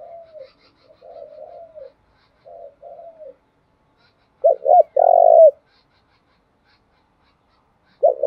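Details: Spotted dove used as a decoy to attract wild doves, giving several soft falling coos followed by two sharp notes and a long trilled coo, then another loud note starting at the end.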